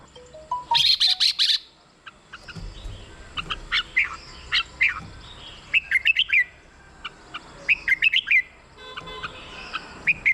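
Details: Caged red-whiskered bulbul, played to excite birds: a buzzy rasping burst after a few plain notes, then many quick whistled and chattering phrases with overlapping voices throughout.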